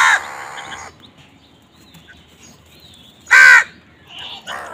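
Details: Crows in a food fight: a drawn-out, buzzy, harsh call opens, followed later by a loud, rough caw and a shorter answering call.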